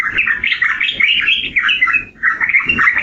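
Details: Trucukan, the yellow-vented bulbul, pours out a rich, bubbling warble of slurred chirps. A short pause falls near the two-second mark before the phrase resumes.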